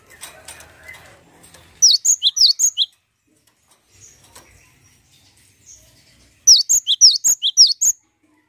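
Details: Cinereous tit, in a recording used as a lure call, sings two bursts of bright, high, rapidly repeated two-note whistles, each about a second long, with quiet between; faint rustling at the start.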